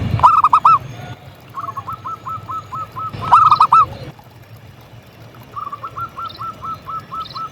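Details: Local zebra dove in full song: two loud, rolling, trilled coo phrases about three seconds apart. Each is followed by a quieter string of short repeated notes. Faint high insect-like chirps in the background.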